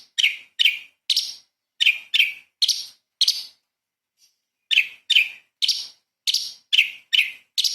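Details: Light-vented bulbul, a 'gacor' bird singing its 'tembakan' burst style for training magpie-robins. Sharp, bright chirps come in two groups of about six, separated by a silent gap near the middle.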